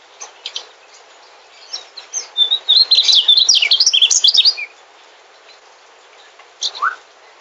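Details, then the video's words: Singing mugimaki flycatcher, a migrant: a few isolated chirps lead into a rapid two-second run of high, tumbling warbled notes, then quiet with a couple of brief call notes near the end. "Suara Burung Sikatan Mugimaki"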